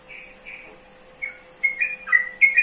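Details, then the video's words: Yellow-vented bulbul giving a few soft separated whistles, then a fast bright burst of slurred notes toward the end; a constant low hum runs throughout. "Mengenal Karakter Suara Burung Trucukan"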